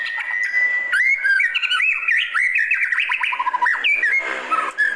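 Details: White-rumped shama in a classic calling song: a long steady whistled note, then a fast run of varied rising and falling whistles, slurs and chirps in rich melodic phrases.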